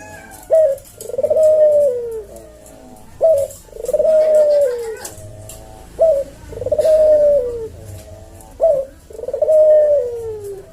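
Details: Melodious manggung of a cage-kept collared dove called puter jawa, slow senggang tempo for tutoring and luring: four regular phrases of short note then extended sliding coo, spaced about two and a half seconds apart, with faint low hum.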